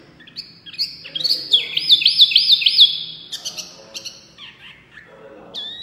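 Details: Small white-eye singing loudly and continuously: high clear whistles with a rapid wavering warble of rising-falling notes, then descending sweeps and short chirps.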